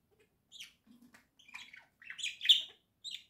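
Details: Pet budgerigars kept indoors in a flock, one in a little house, giving short scattered chirps and buzzy warbled notes with brief pauses between them.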